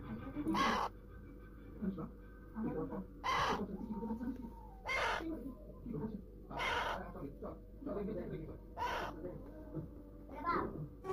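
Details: A pet talking Alexandrine parakeet screeches harshly five times at irregular intervals, each burst short and grating, while low human speech and room noise continue underneath.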